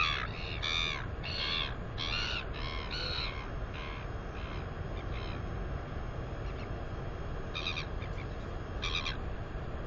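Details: Northern royal albatross chick, female and 218 days old, wing exercising at the nest: a burst of rapid harmonic squeals that fades away, then two more faint squeals later, over steady low wind rumble.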